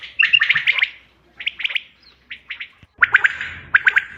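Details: Common quail call used in hunting, 5 June 2025: a rapid pulse burst, then spaced pairs and triples of crisp notes, ending with louder three-pulse phrases over faint rumble.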